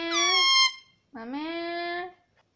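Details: Pet parrot that talks, saying "Mummy": two clear, ringing, voice-like syllables, the first steady and bright, the second swooping up from low then holding level, separated by a short pause in a quiet room.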